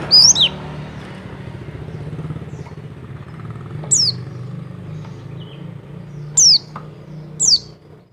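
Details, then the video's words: Mountain white-eye double call, used to raise a male's mating urge: a few thin, very high downslurred notes spaced seconds apart over a steady low engine hum. "Call Dobel Pleci Wilis Menaikan Birahi Pleci Jantan"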